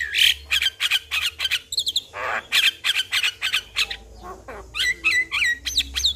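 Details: Javan myna song played to coax a quiet starling to sing. Rapid harsh squawks and whistles repeat about three per second, with a raspy burst midway and a wavering whistle near the end.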